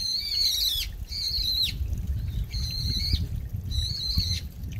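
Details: Brown-eared bulbul, a very noisy grey resident bird, calling beside a mountain stream in a park in Bucheon, South Korea, in late autumn. Four loud, harsh, harmonic squealing notes, each held level then dropping, about one per second, over a low flowing-water rumble.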